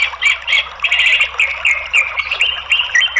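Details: Orange-headed thrush pours out a dense, fast chattering song of high, tumbling phrases, with scratchy notes bursting every half second or so, played as a lure to coax a silent orange-headed thrush into answering.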